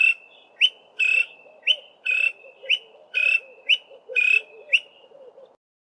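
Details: A male greater honeyguide in a tall pine tree repeats a ringing, two-part 'VIC-tor', a short sharp note then a longer burry one, about once a second, over a faint low chatter.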